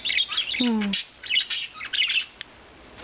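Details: Four rescued budgerigars kept at liberty all day give short runs of high warbling chirps, broken by a brief lower spoken-sounding phrase, then a few more chirped bursts before quiet.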